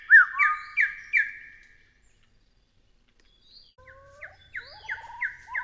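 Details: Taiwan hill partridge calling: a short run of loud, harmonic, downslurred notes about three per second, a silent gap, then a second burst of similar repeated notes overlaid by lower sliding whistled tones and a faint low rumble.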